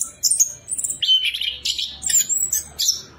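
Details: Orange-headed thrush singing as a lure for another bird: a rapid varied phrase of high whistles, squeaky slurs and scratchy notes with barely any pause.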